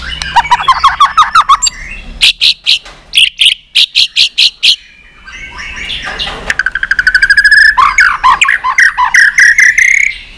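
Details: White-rumped shama singing hard in a competition with varied voices: rapid staccato note trains, clusters of loud chips in short bursts, then a rushing rattled trill sliding into rising whistled notes.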